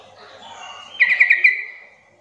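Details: Sooty-headed bulbul calling to provoke quiet bulbuls into answering: one short gurgling phrase of four rapid chirpy notes, followed by a fading tail, with soft whistles from other birds behind.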